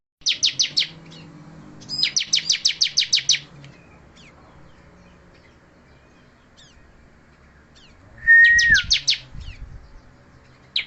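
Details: Balding bar-winged prinia singing insistently, giving clusters of fast, piercing high chirps. Two long bursts are followed by a quiet gap, then a steady thin whistle overlaps a final burst.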